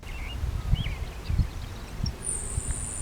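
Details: A Grasshopper Sparrow, named for its grasshopper-like call, gives a thin, very high, insect-like buzz near the end over steady wind rumble and a few faint chirps, on a morning of birding in Cache County, northern Utah.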